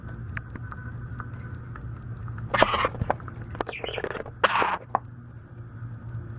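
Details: A baby White-capped Pionus about 9 weeks old, indoors, gives a few harsh, raspy squawks in short bursts over about two seconds as hunger noises, over a steady low hum with light handling noises.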